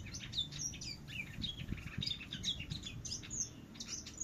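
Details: Java sparrow (Padda oryzivora) contest song, a kept bird singing in earnest: a quick run of high chirps, clicks and bright whistled notes, with low rumbling background noise throughout.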